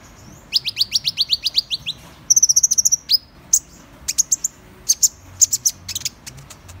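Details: High-pitched Van Hasselt's sunbird song: a quick run of sharp downslurred notes, then a fast buzzy trill, followed by spaced, piercing single chips.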